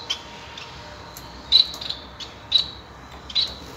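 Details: Singing male Bengalese (society) finch: brief high squeaky notes repeat about once a second, mixed with faint ticking sounds against a quiet hum.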